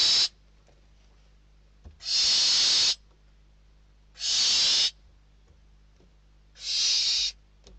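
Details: Barn owl chicks in a Spanish nest fighting for a delivered bird, 21 December 2023; four hoarse, steamy hisses, each under a second, repeated about every two seconds with silence between.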